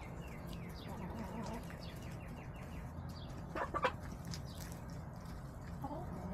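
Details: Backyard hens on March 18, 2024, caught by a coop camera on a day of leftover salad and sunbathing. Soft low clucks and short harmonic chirps rise and fall, with a brief louder burst near the middle over steady background hum.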